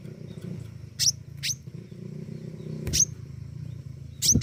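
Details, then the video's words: Pentis raja flowerpecker singing actively with sharp, very high tick notes, mostly single and irregularly spaced, accompanied by a rumbling low background hum and occasional thuds. "burung pentis raja gacor"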